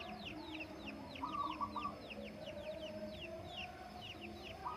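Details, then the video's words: On the Menoreh slopes at breakfast time in the morning, a zebra dove gives a quavering coo phrase midway and starts another at the end, while other small birds keep up rapid falling whistles and hens cluck below. "bunyi burung perkutut"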